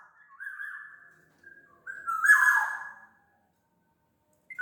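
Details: Black-naped oriole from Sumbawa singing as a lure for other kepodang: soft steady whistled notes build into a fuller, richer fluty phrase, then silence and one brief final note.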